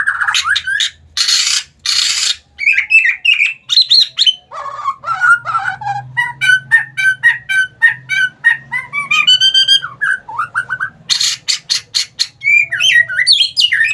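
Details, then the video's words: Lure song of a white-rumped shama (murai batu), meant to stir silent birds into singing: varied whistles, quick chattering notes and rising phrases, with a few harsh broadband bursts and a faint low hum. "Pancingan burung murai batu malas bunyi jadi ikutan gacor"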